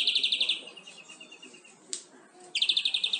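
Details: European greenfinch song for training captive birds: a quick rattling trill trailing into softer repeated notes, a sharp click, then another fast, bright trill.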